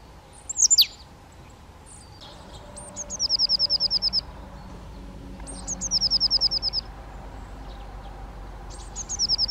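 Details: Eurasian nuthatch (Sitta europaea): one sharp high call, then three fast runs of clipped, high notes, each run about a second long, repeated every few seconds over faint low background noise.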